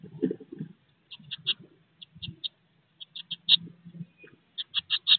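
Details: Nest box full of blue tit chicks at 16 days old, close to fledging, giving rapid runs of thin high cheeps in groups of three to five, over low rustling movement.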